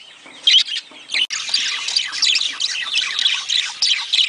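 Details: Budgerigars chattering to stimulate mating: after a few scattered chirps and a sharp click, a dense, continuous warbling chatter of many overlapping high, scratchy and whistled notes fills the rest.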